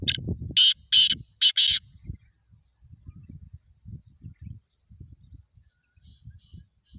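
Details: Harsh, scratchy call of a black francolin: three strong rasping notes within two seconds, then faint high ticking notes over soft low background rumble.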